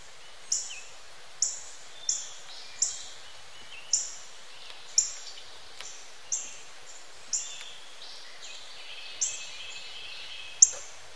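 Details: A Northern cardinal gives about a dozen sharp, high, metallic chip calls, spaced roughly a second apart, with faint background hiss and a softer distant bird.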